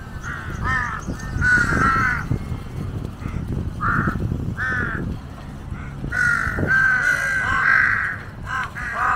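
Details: Harsh, nasal caws from a big gathering of jungle crows waiting for scraps while a monitor lizard eats a dead giant snakehead; calls come in quick irregular runs, several birds overlapping.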